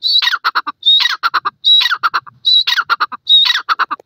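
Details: Partridge giving a steady series of calls, a sharp high whistle running into several harsh, stuttering notes, the phrase repeated five times at an even, brisk rhythm.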